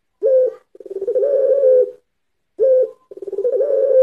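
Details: Pelung-style Barbary dove cooing as a lure, two matching phrases about two and a half seconds apart, each a short clipped coo followed by a rolling, pulsed coo that swells into a steady tone.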